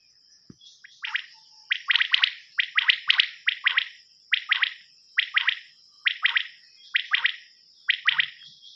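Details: Common quail calling, taken from a quail hunting cassette: loud rapid phrases of two to three clipped notes, repeated roughly every second in a rolling sequence, over a persistent high-pitched tone.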